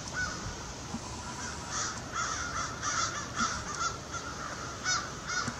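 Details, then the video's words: A group of crows in Québec, Canada, in autumn 2022, gives harsh, rasping caws in quick, uneven bursts, several overlapping each second, over a steady background hiss. "Cri de la corneille"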